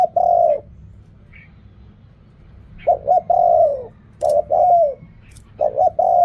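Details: Mellow cooing of a spotted dove, styles named riak kham, khu kham and ok rong; a long coo, a pause of two seconds, then phrases of two short notes and a long falling note.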